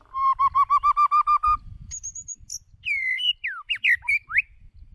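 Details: Singing decoy white-rumped shama: about ten even, hollow whistled notes in a steady rhythm, then a very high thin whistle, followed by swooping down-slurred and chattering phrases.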